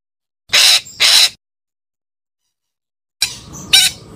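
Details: Parakeet calling: two loud, harsh, rasping squawks in quick succession, then silence and a further scratchy call with a sharp squawk near the end.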